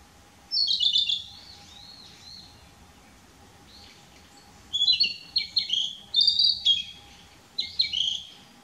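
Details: Narcissus flycatcher singing from a dead branch on 6 May 2016, moving between several song posts, recorded with a Nikon P900; bright warbled phrases at high pitch, one near the start and a burst of rapid varied phrases in the last four seconds.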